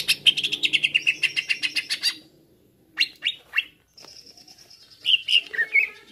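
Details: Excited greater green leafbird (cucak ijo) used as a lure call sings a rapid run of about fifteen bright chattering notes, then sharp upslurred chips, a thin high whistle and sweet falling phrases.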